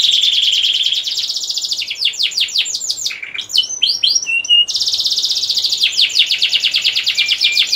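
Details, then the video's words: Canary singing a lively 'gacor ngerek' breeding song to excite hens and young cocks; a steady whistled trill gives way to sharp chopped notes and stuttering chips, then resumes as a fast rolling high trill. "Kicauan Kenari Gacor Ngerek Untuk Menaikkan Birahi Kenari Betina Siapan & Pejantan Muda!"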